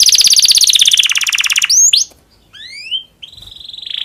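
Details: Domestic canary in breeding condition singing to stimulate other canaries: a rapid, loud pulsed trill slowly falling in pitch for nearly two seconds, then sharp sweeps, rising whistled notes and a final quickening buzzy trill.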